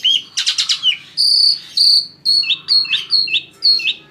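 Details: Asian pied starling, a kept songbird, singing to lure other birds into song: buzzy chattering bursts, then a series of clear high whistles, each dropping in pitch, repeated about twice a second over a low steady hum.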